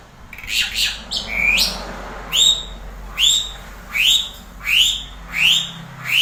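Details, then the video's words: Asian pied starling giving a series of loud, rising, slurred whistles, about one every three-quarters of a second, with a few harsher chattering notes at the start. "JALAK SUREN MEWAH"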